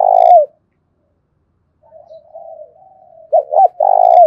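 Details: Spotted dove fighting call for luring: the end of a long rough coo, a pause, a soft wavering murmur, then two sharp rising notes and another long harsh coo.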